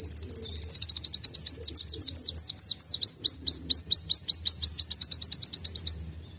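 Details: Sunbird, locally called kolibri wulung, singing canary-like phrases used as tutor song for young birds: fast, high, sharply rising whistled notes in rapid trilled series of about two notes per second, changing tempo midway, with faint low background hum.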